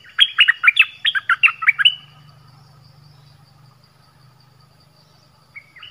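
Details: Orange-headed thrush song used as a decoy to lure wild birds; one quick two-second phrase of sharp, bouncing whistled notes, then a steady low hum and a single faint note at the end.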